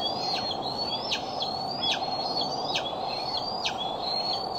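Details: Bald eagle at the Decorah eagle cam, afternoon or evening of July 6, 2011: thin rising whistles that drop sharply at the end, repeated about once a second over a steady low hum.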